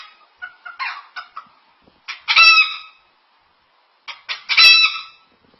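A cockatoo imitates a hen's clucking: a few quick broken clucks, then two loud harsh squawking bursts about two seconds apart.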